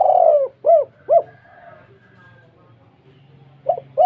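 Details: Spotted dove's typical 'kuk 2' call, thick and big in tone: a long falling coo followed by two short arched coos, quiet pause, then more short coos; faint low hum beneath.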